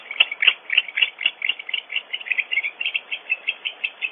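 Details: Nest-camera recording of more than one barn owl cleaking during an intruder episode at Audubon Starr Ranch, California: quick, scratchy, squeaking notes, about four a second, starting loud and irregular, then settling into a steadier, slightly quieter run.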